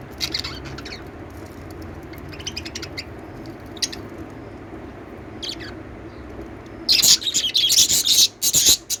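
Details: Soft scattered lovebird twitters, then a loud, dense outburst of harsh, high chirping over the final two seconds, set against a low background hum.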